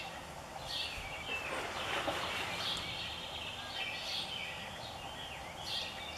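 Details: American robin fledgling at a lake edge in northern Illinois, late May: thin high squeaky notes and short whistles repeated irregularly, over a steady wash of lapping water noise.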